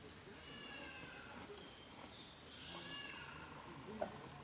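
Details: White-rumped shama at Nameri Eco Camp, 3/3/2010: faint, clear whistled phrases, some sliding and some warbling, at varied pitches over steady background hiss, ending with a soft click.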